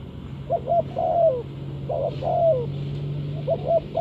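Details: Spotted dove call for luring birds into traps: quick paired coos followed by drawn-out croos that slide downward, repeated three times over a noticeable low droning hum.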